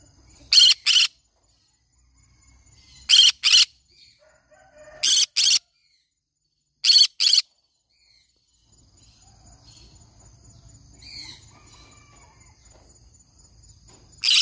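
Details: Pet green-cheeked conure repeating loud, rasping screeches in close doublets spaced a couple of seconds apart, then a quieter stretch with a low hum and faint chirps before a final harsh call.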